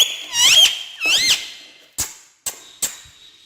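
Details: Parrot jumping on a stair gives two loud, squeaky, wavering squawks, each rising and falling, followed by three short sharp clicks.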